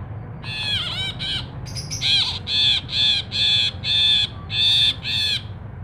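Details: Ashy bulbul in constant song, recorded for training and luring songbirds: after a few bending notes come seven loud, harsh, nasal buzzy notes, evenly spaced about every half second, above a low steady hum.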